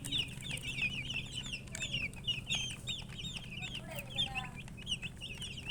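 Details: A group of baby chicks chirps nonstop, with bright, shrill, slightly rising and falling peeps crowding together, plus a low constant hum underneath.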